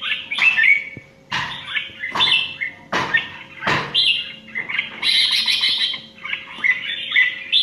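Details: Indian-origin red-whiskered bulbul singing competitively: loud sharp knocks recur about every second while warbling whistled phrases run between and after them, ending in a sustained stretch of rich chattering song.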